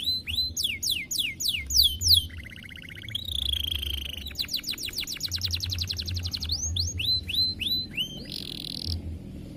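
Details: A colour-bred canary sings a fast, varied song of rapid repeated chirps, buzzy trills and high whistled phrases, over a low background hum.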